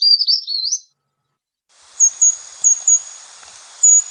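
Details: A Brown Creeper, a high-pitched upper-canopy species, sings one very high, thin, tumbling phrase that rises at its end ("trees, trees, beautiful trees"), then gives several faint hissing high notes over soft background hiss.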